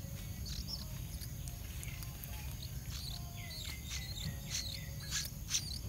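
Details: Bulbul parents attacking a small snake that came to bite their two chicks give short, sharp chirping alarm notes in quick scattered bursts over a steady insect hiss and low background rumble.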